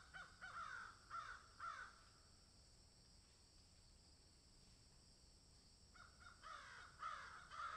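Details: Crows in a field giving a few harsh caws early on, then a long lull of low background noise, before another cluster of hoarse caws at the close.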